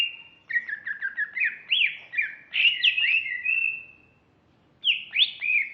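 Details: A female greater green leafbird sings a fast stuttering series of short whistled notes that builds into looping, slurred phrases, stops for half a second, then resumes with two sweeping whistles.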